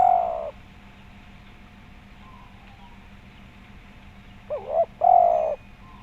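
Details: Spotted dove cooing, recorded as a lure to make other doves call: the tail of one long low coo, a long quiet gap, then a wavering double note followed by a long, slightly falling coo.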